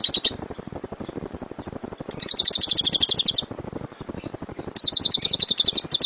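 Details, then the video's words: Lovebird singing 'suara gemuruh tembakan', a thunderous rapid-fire song used as a master recording for training other birds: three dense bursts of fast, shrill chattering notes, separated by quieter gaps with a low pulsing background. "LOVEBIRD SUARA GEMURUH TEMBAKAN BURUNG LOVEBIRD"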